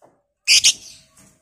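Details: Batman lovebird, kept to provoke other lovebirds into long chattering, gives a harsh double screech with two quick loud pulses, a fading rasp, and a faint short note after it.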